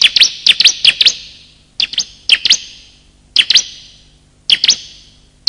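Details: Bar-winged prinia calls, male and female, played to attract birds: a quick run of high chirps, then pairs of sharp notes spaced about a second apart, each followed by reverberation.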